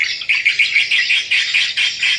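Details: Swiftlet lure call played back at a farm garden in lower northeastern Thailand on the evening of 4 November 2022, drawing swiftlet flocks toward it: shrill, high chirps, about four a second, running into a steady twitter.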